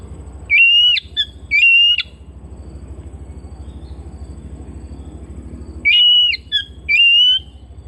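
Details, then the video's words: Home-kept Oriental magpie-robin whistling: pairs of strong, pure rising notes with short chips between them, then a long pause before another pair, against a low humming background. "Terapi Burung Kacer Rumahan"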